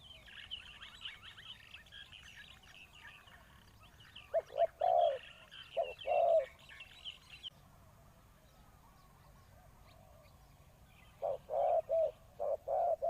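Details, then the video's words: Decoy spotted dove calling to draw in wild doves, giving loud, low, hoarse cooing phrases in two bursts of several notes, separated by a quiet gap, while smaller birds chirp and twitter at higher pitch at the start. "chim cu mồi gáy gọi bổi"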